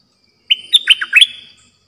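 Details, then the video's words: Caged bulbul kept as a decoy bird for trapping, giving a short bright song phrase of about five quick, liquid whistled notes, a level opening note followed by bubbly dipping notes, lasting about one second against a quiet background. "Suara burung merbah lekir"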